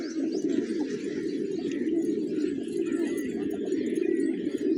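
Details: A morning feast of grains for village pigeons, whose massed low coos form an unbroken, warbling drone, with a few thin high chirps in the background.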